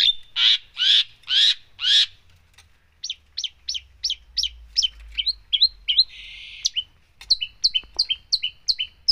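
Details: Cendet, the long-tailed shrike, singing energetically with 'full isian' fill-ins. Four loud buzzy notes come first. After a pause, a quick sequence of short chirps follows, mixed with a drawn-out note and sharp whistled notes.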